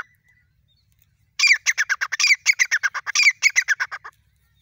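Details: Grey francolin, known locally as safed teetar, in the wilderness of Ranthambore National Park: after a short pause, a fast run of harsh, clipped notes bursts out, about four per second, each note rough and broad, lasting nearly three seconds.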